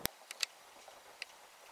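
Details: A wild Daurian redstart that has grown tame enough to come within arm's reach at a spot where food was set out gives a few dry, sharp tack clicks, two close together and then one after a pause, against a quiet background.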